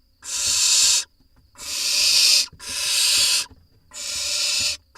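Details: Nest-box barn owls in Israel, recorded 4 July 2021 during vole deliveries by the parents; four drawn-out, noisy hisses, the middle ones longest, with quiet breaks between them.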